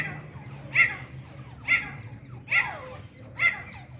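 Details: Grey francolin, locally called teeter or grey partridge, in a hunting and fighting context: four loud, harsh notes centred high in pitch, roughly one every second, each with a short descending tail, over a steady low hum.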